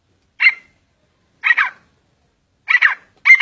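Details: Grey francolin, known locally as Sindhi or Irani teetar, uttering four loud raspy bursts spaced roughly a second apart, the last one cut off at the end, against silence.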